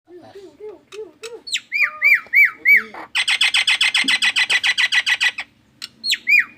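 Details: Nias hill myna making an odd, alarm-like sound that resembles an anti-theft alarm: low, hooked whistles rising into higher upslurred whistles, then a long rapid train of harsh buzzy pulses, ending with more upward whistles.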